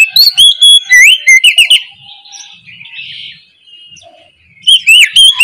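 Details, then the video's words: Ngeplong song from an oriental magpie-robin in the morning, used as a lure for lazy singers. A quick cascade of loud, clear whistles with swooping and rising phrases gives way to a soft, scratchy warble before a last run of whistled notes. "KICAU PANCINGAN KACER NGEPLONG DI PAGI HARI"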